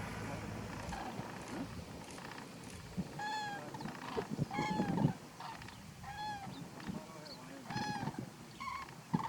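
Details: Eurasian or Common Cranes filmed close up at Little Rann of Kutch in Gujarat, India, January 2020, giving repeated ringing bugled calls, roughly six across nine seconds, with fainter birds answering and steady low background noise.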